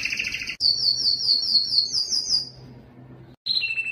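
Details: A Belgian canary gives its strongest song, meant to attract females for breeding: a loud, high, rapid warble of trilled rolls and sweeping notes, broken by brief pauses.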